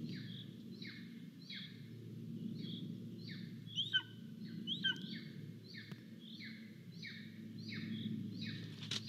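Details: Hungry golden eagle chick at a nest in Estonia, live nest cam, 10 July 2022, calling while adults arrive with prey: a long series of thin descending wails, broken by a couple of harsher, sharper notes, with low humming background.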